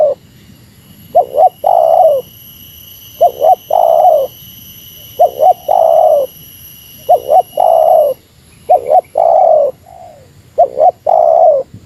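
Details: Spotted dove giving the meratus-style lure call against a rival: low cooing phrases, each two quick short notes then a long drawn, slightly falling coo, repeated about every two seconds, over a faint steady high electronic whine.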